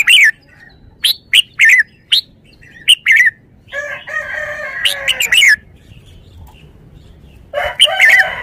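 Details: Red-whiskered bulbul singing short, bright warbled phrases that dip and rise, given in quick bursts with pauses between, while a rooster crows loudly partway through and again near the end.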